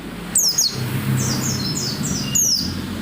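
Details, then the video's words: White-eye song meant to prompt other white-eyes to sing: a few thin, high descending chirps and softer twittering notes, partly masked by heavy low rumbling background noise. "SUARA PELECI GACOR NGOTOT BIKIN PELECI LAIN RAJIN BUNYI BUKA PARUH"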